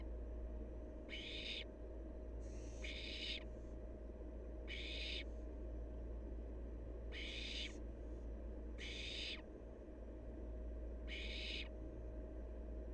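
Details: A wild barn owl fledgling repeats seven rasping hisses at irregular intervals of one to two seconds against a steady low hum.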